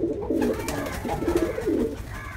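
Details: An angry, fighting pigeon giving a run of low, gurgling coos, four or five rolling phrases in quick succession, with steady indoor background hum.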